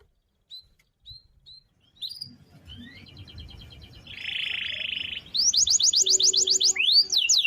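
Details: Energetic canary roll for daily training of other birds: faint scattered chirps, then a buzzy rolling trill that builds into a loud, fast rattle of repeated notes and sweeping whistles.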